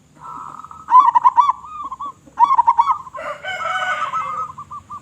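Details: Vocal local zebra dove with a big voice, played to draw other zebra doves: two quick trilling coo phrases, stuttered and slightly falling, followed by a harsher, richer call overlapping the final soft coos.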